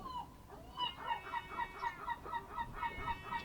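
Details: Ambracian Gulf birds at a Greek fishing harbour on the Ionian Sea, 07:40 on 27 March 2026, early morning: an even, rhythmic series of hoarse honks, about four per second, rising in loudness after a softer start.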